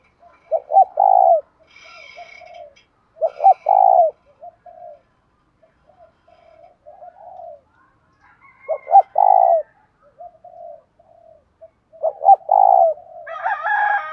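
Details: Spotted dove decoy with a 'thổ' voice, giving the calling coo with one trailing note to lure wild males. Groups of low, hollow coos every few seconds, with soft quieter notes between. Faint high chirps and a brief bright call near the end.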